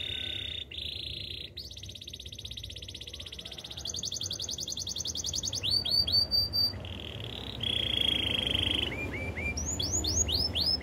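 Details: Wild canary melody in changing tours: rattling rolls at mid pitch, a higher buzzing trill, clipped descending whistle notes, then a sustained warbling roll and quick falling slurs.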